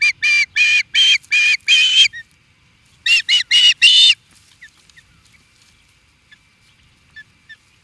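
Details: Osprey at Charlo, Montana, USA, calling against an intruder: a string of six loud rasping yelps, a short break, four more, then scattered faint chirps.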